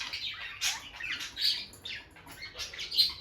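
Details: Bonded peach-faced lovebird pair at the nest box producing separate loud, shrill chirps and rasping squawks roughly every half second, some notes sharply whistled.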